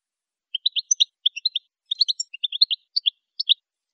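A saffron finch sings a quick run of high, bright chirps and twittered notes, clustered in short bursts over about three seconds, with nothing else heard.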